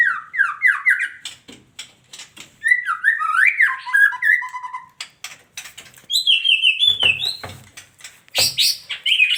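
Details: Female white-rumped shama pouring out varied whistled and warbled notes, descending slurs, then a high run of rapid notes and harsh chattering bursts.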